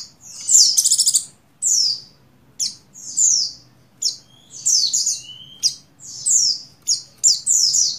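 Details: A female Oriental white-eye, buxtoni, in breeding condition calls the male with a dense run of high chirps, a quick stuttered trill near the start, then rapid repeated twittering notes.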